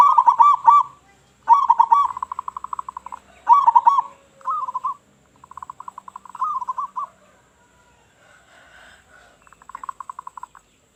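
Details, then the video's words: Loud local zebra dove used to lure other doves: several emphatic bursts of quick coos, each trailing into a fast staccato trill, repeated over about ten seconds with brief gaps. "Perkutut Lokal Gacor Suara Besar Suara Paling di Sukai Burung Perkutut apa Saja"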